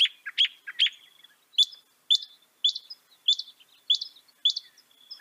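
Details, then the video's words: Sharp high notes from a northern mockingbird: a quick cluster of three, then a steady series of single chips about every half second. "Veja o canto do pássaro, ave zombeteira"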